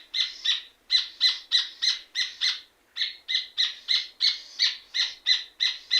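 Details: Rufous hornero, or red ovenbird, singing energetically: a fast, loud series of sharp, ringing notes repeated about three times per second, with two short pauses breaking the run.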